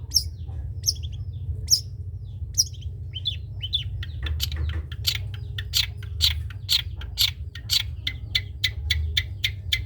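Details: Long-tailed shrike, trotol type, singing as a tutor for other birds to imitate: spaced high chirps quicken into a fast, even series of sharp metallic notes, over a continuous low hum.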